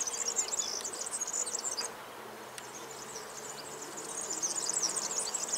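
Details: High, tinkling, rapid-fire jingle from a European serin in two phrases broken by a short quiet gap, with soft low background noise.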